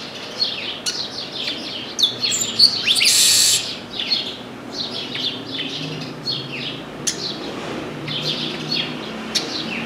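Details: Chestnut-capped blackbird perched in an orange tree and singing a lot: repeated high falling chirps, an outburst of harsh hissing rasp near the start, and scattered sharp clicks through a steady twitter.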